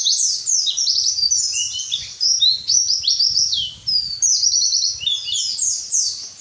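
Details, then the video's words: Captive white-eye song used as a training recording to get lazy caged birds singing: a continuous, rapid, high twittering of sweeping and trilled notes with no pauses, over a faint low rumble. "masteran burung pleci males bunyi"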